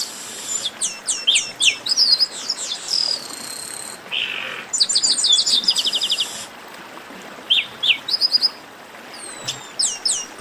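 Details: Excited group of Chestnut-capped blackbirds in a lively baderna meant to warm up songbirds. Rapid runs of high chipping notes and stuttered trills mix with a drawn-out buzzy note and scattered sweeping whistles.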